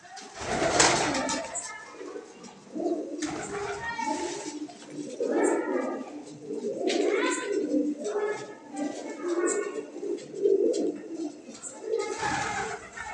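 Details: Domestic fancy pigeons from Surat, India, a crested, feather-footed lot of about 80 birds kept indoors; low, throaty cooing rises and falls in overlapping bursts from several birds, with occasional wing flutters and human voices in a small room.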